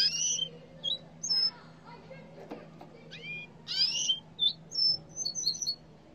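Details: Yellow canary calling in a busy run of brief whistled notes, some sweeping and some flat, at first scattered and then closer together near the end, over a low steady hum and faint background noise.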